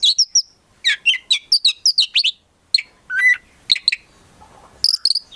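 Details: Oriental magpie-robin, a caged songbird, delivering rapid varied phrases of sharp chirps and slurred whistles in quick clusters, with a short buzzy rattle midway and brief gaps.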